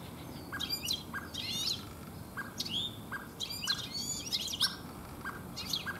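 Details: European goldfinch singing in a garden in late afternoon into evening: quick, tinkling high twitters broken by short buzzy notes, in lively bursts every second or so over a soft background hum.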